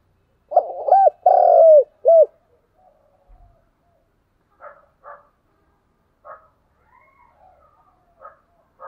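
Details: Spotted dove call used to lure and stimulate other doves: quick short coos, then a long purring coo sliding down, closed by one short arched coo; faint clipped calls from other birds follow in a quiet setting.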